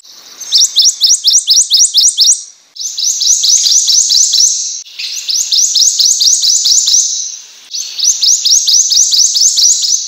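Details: Four consecutive prothonotary warbler songs, each a rapid string of bright, emphatic rising notes repeated seven to nine times, separated by short gaps.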